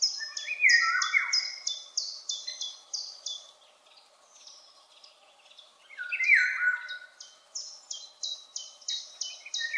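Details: Eurasian golden oriole singing high and far away: two bursts of rich, descending fluted whistles separated by a quieter pause, with another bird's rapid repeated high chips running alongside.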